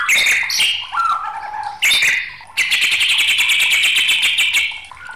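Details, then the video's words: White-rumped shama singing in a raging mood: chattering and whistled notes, then a fast, rattling trill of rapidly repeated buzzy pulses for about two and a half seconds. "SUARA MURAI BATU NG4MUKK"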